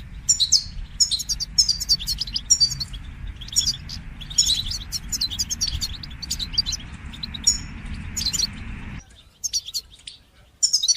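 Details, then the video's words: Bitbita and sitsita goldfinch song used to coach young goldfinches to sing. A fast, dense twittering runs over broad hissing background noise, which cuts out near the end while the chirps continue. "تقنيات تحفيز طيور الحسون لتشجيع نجاحها في التغريد بتبتة وستستة"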